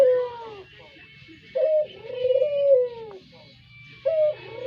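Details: Kept brown Barbary dove calling as a lure, giving drawn-out mellow coos, each opening with a brief higher note then a long falling tone, over a steady low hum.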